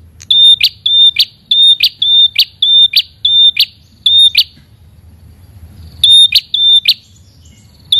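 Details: Red-headed prinia (prenjak kepala merah) calling out to a rival. A quick train of piercing whistles with buzzy snapped endings, roughly twice per second, breaks off for about a second and a half, then starts again.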